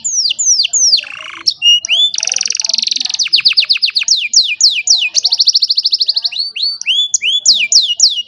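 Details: An old canary sings on a sunny morning, phone-recorded: downslurred whistles, a buzzy low rattle, dense fast trills and repeated sweeping notes in varied rhythm.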